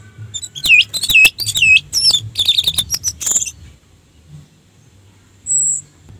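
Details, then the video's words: Lure song of an orange-headed thrush, meant to rouse other thrushes: a fast, varied stream of looping whistles, trills and chattering notes for about three seconds, then silence and a single high thin whistle. "suara Anis merah untuk pancingan"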